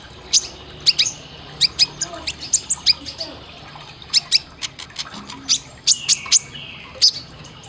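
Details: Sunbird song in a training recording for caged birds, with sharp, high, thin chirps and short sweeping notes. They come in quick irregular bursts, several per second, over a faint low hum.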